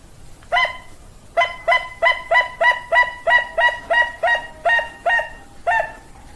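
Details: Bangkok-type perkutut (zebra dove) repeating short, resonant cooing notes about three per second after an initial note, the series closing with a longer trailing coo, over a faint constant hiss.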